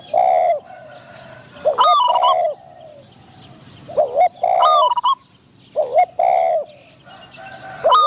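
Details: Decoy spotted dove luring wild doves, with a wild bird of medium-pitched voice nearby. Mellow, slightly wavering coos in paired phrases, punctuated by sharp, high, harmonically rich calls and short silences.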